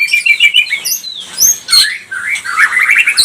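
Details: Pastol-type white-rumped shama song meant to provoke other birds; fast twittering high notes, sharp sweeping whistles and brief harsh bursts, delivered in quick varied phrases.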